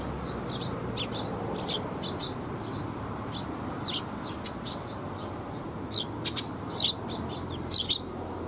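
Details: Eurasian tree sparrows, parents feeding fledglings, 6 May 2021. Many thin, high chirps in quick, uneven runs, growing louder toward the end, against a noisy low rumble.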